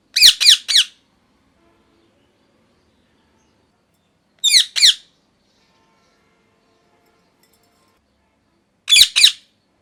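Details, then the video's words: Molting pet parrot calls indoors in short bursts of two or three rapid, harsh chirping squawks, the bursts spaced roughly four seconds apart with silence between. "Parrot Chirping Sounds | Natural Parrot Sounds | Parrot Calling Sounds"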